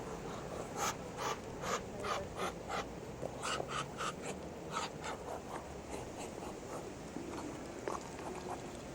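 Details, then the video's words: Muscovy duck making funny noises: a run of short, breathy, hissing puffs repeated about every half second, fading into softer rasping breaths toward the end. "the Funny Noises this Muscovy Duck Can Make"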